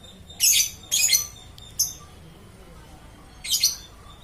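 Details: Lovebird singing nonstop, one bird heard: sharp high chirps in short bursts, two close together at the start, a brief click, then another burst near the end over quiet background.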